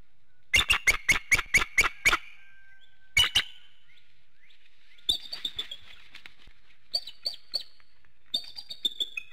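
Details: Morning wake-up at a Hanover, Pennsylvania bald eagle nest, 7:06 a.m., infrared camera. A quick run of seven piercing piping notes, a paired call after a pause, then several softer bursts of high, thin twittering chatter.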